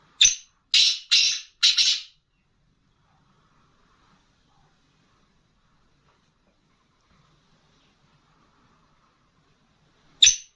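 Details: Female black francolin calling: four harsh, scratchy notes in quick succession over the first two seconds, then a long silence before one more rasping note near the end.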